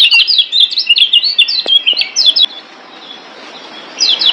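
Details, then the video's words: Caged-bird training master song of a Lombok yellow white-eye (kecial kuning): about two and a half seconds of fast, high, zigzagging twitters, then a pause, with song resuming at the end. "Masteran Kecial Kuning Ampuh Bikin Kecial DIAM Malas Bunyi Jadi NYAUT GACORRR"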